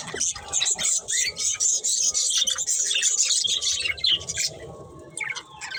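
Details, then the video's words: Budgie breeding pair warbling nonstop: quick chirps, squeaky notes and thin whistled slides pour out fast, thinning to scattered chirps in the last second. "Cute Budgies Chirping Sounds"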